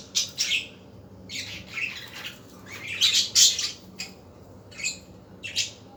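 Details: Afternoon budgerigar calls: harsh, buzzy chirp bursts that come in uneven groups, swelling to a louder scratchy squawk near the middle, then two short sharp chirps at the end.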